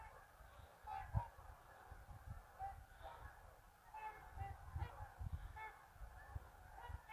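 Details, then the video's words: Scattered nasal honks from geese leaving a marsh to feed after a midday rest, some overlapping, with gusty low rumble underneath. "Geese Leaving Marsh"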